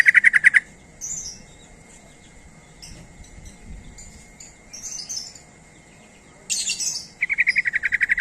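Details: Call of a sooty-headed bulbul used as a lure for other bulbuls, with fast chattering strings of sharp notes at the start and end, scattered scratchy hisses between, and a quiet background.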